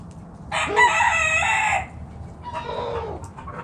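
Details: Rooster from a backyard chicken flock foraging in the morning crows one long, harsh, drawn-out note lasting over a second, followed by softer clucking from the flock.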